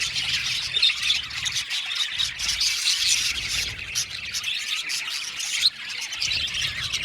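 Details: Several blue male budgerigars chirping together, a dense, continuous high twittering chatter of overlapping chirps and warbles with a faint low rumble beneath.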